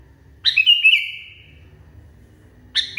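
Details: Sooty-headed bulbul (kutilang), described as raging wildly: a sharp chirped burst running into a level, sustained whistle of about a second, then a fresh burst starting near the end; low hum underneath.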